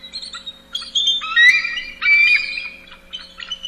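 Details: Bald eagle calling: a series of high, thin squealing notes with harsh, chattering overtones. The notes come in several bursts, some sliding slightly upward, with brief pauses between them.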